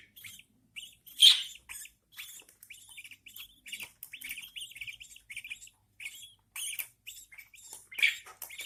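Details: Captive budgerigar chicks, newborns, fed by their mother; rapid, continuous short chirps, each a quick hooked note, pour out almost without gaps, with occasional harsher, louder rasps standing out.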